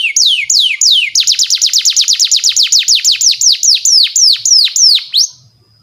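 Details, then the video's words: Canary song used as a lure for training young canaries: a few slow downslurred whistles, then a fast run of sharply falling high notes about five per second, slowing toward the end before fading. "SUARA BURUNG KENARI PANCINGAN MASTERAN PAUD BIAR GACOR PANJANG"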